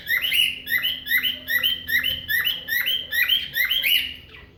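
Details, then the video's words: Cockatiel imitating a car alarm: a rapid siren-like series of rising, slurred whistled notes repeated about every half second over four seconds, with a steady low hum underneath. "Calopsita imitando alarme de carro"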